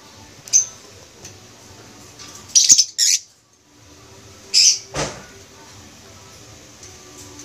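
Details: Green wild-form masked lovebirds kept in a Philippine aviary give a few harsh, high squawks in short bursts, separated by quiet pauses with faint low room hum.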